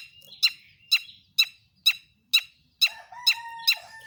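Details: Long-tailed shrike song played as a lure to get other shrikes singing: a steady run of harsh, sharp chak notes roughly twice a second, with a drawn-out whistled tone near the end.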